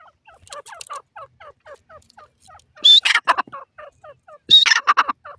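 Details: Grey francolin in a cage giving soft, quick clucking notes in a steady series, broken twice by loud harsh bursts with a high whistled start.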